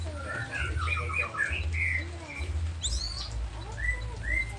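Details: White-rumped shama of the Nias 'noktah' type, singing energetically as a provoking song meant to make other shamas answer at once: scattered clear whistled notes and short slurred phrases over a steady low hum.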